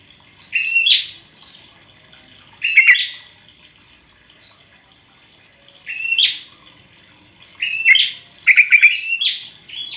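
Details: Sooty-headed bulbul, used as a lure to prompt caged birds to sing: four short bursts of bright, chattering notes, spaced about two seconds apart, with a faint steady high hiss between them.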